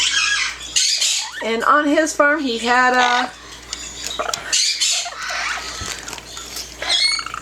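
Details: Yellow-naped amazon (Amazona auropalliata) chatters and talks in a near-human voice, with a clear sung-talk phrase mid-clip between harsh, raspy squawks, while a person speaks briefly in the background.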